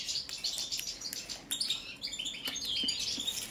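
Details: European goldfinch of subspecies balcanica, song check: chattering, high tinkling notes with frequent sharp clicks and a few buzzy strokes, becoming a steady fast twitter in the last second.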